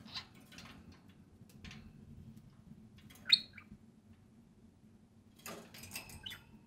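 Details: Two sociable budgerigars playing and speaking while out of their cage indoors; soft scattered ticks, then one loud rising chirp, followed by a stretch of busy scratchy chatter and warbles over a low hum.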